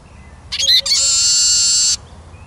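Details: Eurasian siskin song phrase: quick, high twittering notes running into a drawn-out, harsh, buzzy wheeze that holds steady for about a second before stopping abruptly.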